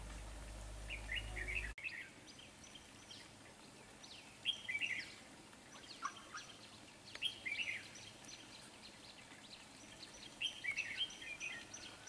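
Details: Red-whiskered bulbul recorded while being trapped with a decoy bird, giving quick twittering and whistled phrases about every two to three seconds over a quiet background, with a brief low hum at the start.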